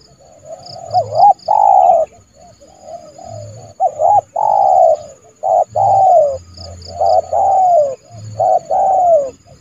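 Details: Spotted dove, a trained decoy bird calling to lure a rival into the yard for trapping: loud mellow cooing phrases, short hiccup notes followed by long drawn coos, repeated steadily with brief pauses.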